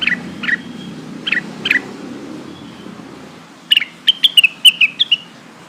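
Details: Lesser green leafbird lure call for summoning companions: several soft paired chirps first, then a sharp rapid string of high whistled notes descending in pitch, over a low rumbling background.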